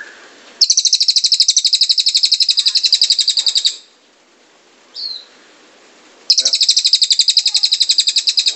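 Scarlet-headed flowerpecker: two bursts of very high, thin, rapid ticking trill, about three seconds each, split by a lone sharp note.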